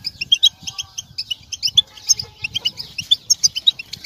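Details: European goldfinch calls for stimulating males: lively, high, tinkling twitters in rapid irregular bursts, interspersed with sharper chirps and soft low thuds.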